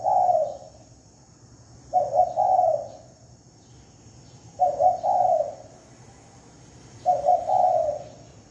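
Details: Lure call of a spotted dove: four low, rounded coo phrases, each with a quick double note leading into a longer swelling one, repeated about every two and a half seconds in clean silence.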